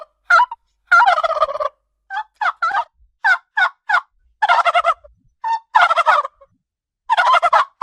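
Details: Domestic turkey producing several long rattling gobbles mixed with quick yelps, the bursts following one another closely over the whole stretch.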